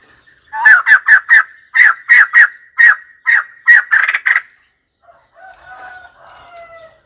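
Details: Loud, evenly spaced harsh hooting notes from a white-crested laughingthrush, about a dozen in quick succession, ending in a rapid rattling burst, followed by softer drawn-out notes.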